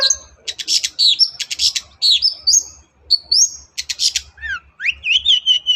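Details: Long-tailed shrike in full, lively song meant to coax a silent shrike into singing: rapid scratchy notes interleaved with thin rising and falling whistles, then a run of quick slurred upward notes.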